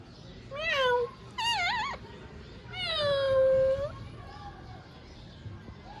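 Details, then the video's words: Ring-necked parakeet utters three drawn-out nasal speech-like syllables, the last a long falling-then-level note, followed by softer trailing sounds over faint background noise. "Mian Mithu Chori Khani hai Speaking clearly / beautiful Ringneck Parrot Talking"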